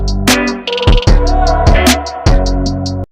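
Electronic music with a punchy drum beat, bass and sustained synth chords, and no animal calls.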